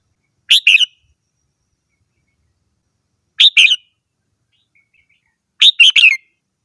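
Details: Three short red-whiskered bulbul phrases, each two or three quick bright chirps, repeated roughly every two and a half seconds over a silent background.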